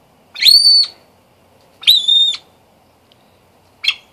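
A yellow golden pheasant hen gives two high, clear, level whistled notes about a second and a half apart, then a brief clipped note; otherwise quiet.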